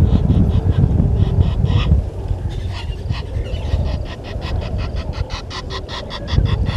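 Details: Red-billed hornbill at its nest tree by Gowrie dam, Djuma Game Reserve, Sabi Sand Wildtuin, South Africa, 30 January 2020 at 10:09, recorded by a live waterhole camera: rapid, steady run of dry clucking pulses over a deep low rumble.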